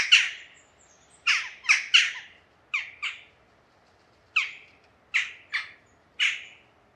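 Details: Jackdaw giving short, harsh, clipped 'tchak' calls, sometimes in quick pairs or triplets, in irregular bursts over seven seconds with quiet gaps between and no other sounds.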